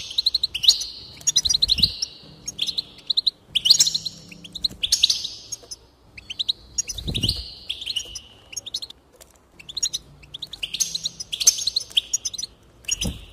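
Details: Long run of goldfinch singing used to encourage song, a nearly continuous medley of jingling chirps and nasal buzzy trills in fast succession, interrupted by occasional low thuds.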